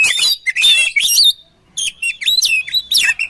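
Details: Oriental magpie-robin song used for training birds: loud, rich run of varied whistles, trills and sliding notes in rapid bursts, a brief pause, then more fast, jumbled, warbling phrases.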